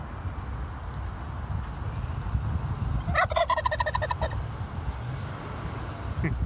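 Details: A wild turkey in Michigan, showing off, gives one rapid, rattling gobble about a second long, a burst of quick stacked notes, over a steady low wind rumble.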